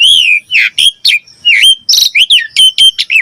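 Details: Asian pied starling song used as a training recording, loud clear whistles that slur down and up, broken by sharp clicks and short bright notes in quick succession.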